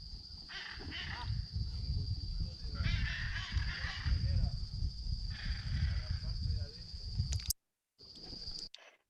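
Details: Hyacinth Macaw parents give harsh, raucous squawks in three short bursts, objecting as a researcher climbs about 60 m up a tree to put a camera trap on their nest in Bolivia, over a steady high whine and low wind rumble.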